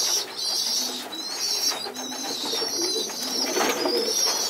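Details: Pigeon youngsters fed as a group on the floor after leaving their nest box: steady shrill, hissing squeals in bursts, rising and falling, over faint low cooing and rustling indoors.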